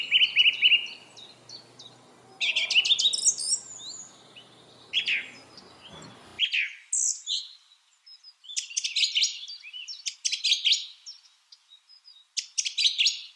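Lovebirds chatter in shrill, high chirps and squeaky trills, several per second in uneven bursts. A low hum sits under the first half.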